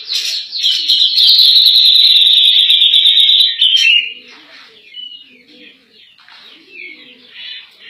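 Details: Cak jenggot (grey-cheeked bulbul) singing in 'nembak' style for use in training other songbirds: one long, loud, ringing trill for about three seconds, then soft scattered chirps and faint background chatter.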